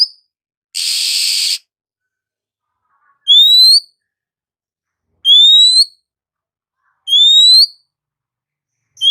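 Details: Oriental magpie-robin in the morning: one harsh, hissing rasp, then three clear rising whistles, each sliding upward and repeated about every two seconds with silence between.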